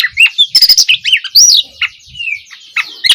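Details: Oriental magpie-robin opening song, used as training material to prompt young birds to start singing: quick, varied high whistles and sharp chirps, with rising and falling slurred notes and a softer rattling middle passage.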